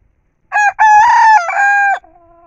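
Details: A Nepali rooster gives one loud, harsh crow of several linked syllables lasting about a second and a half, rising then held and dropping at the end.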